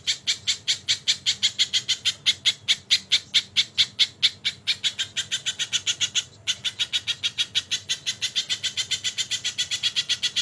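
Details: Crested jay, recorded as a tutor track with kingfisher call fills, giving rapid rasping notes in a continuous rattle, with a brief break midway before the chatter resumes just as fast.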